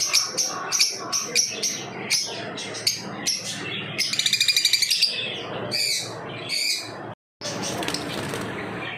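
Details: Lovebirds chirping in a run of sharp, high squeaky notes, with a quick rattling burst of rapid repeated chirps near the middle, then harsher chatter after a brief silent gap.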